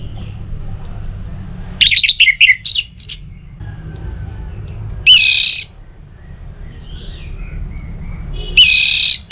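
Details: Orange-headed thrush singing as a lure for other songbirds: one burst of fast, varied whistled notes, then two short sharp phrases several seconds apart, over a constant low background hum.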